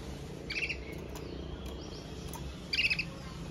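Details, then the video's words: Red Mosaic Agate canary, a male in song: two short bursts of bright, rapid chirped notes about two seconds apart, each under half a second long, over a steady background hiss. "CANARIO CANTANDO - Powerful song of Red Mosaic Agate Canary"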